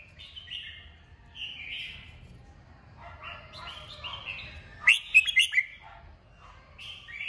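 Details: Red-whiskered bulbul prompted into song, giving a string of short warbling phrases, then a sudden loud cluster of sharp clicky notes near the end, over a faint low rumble.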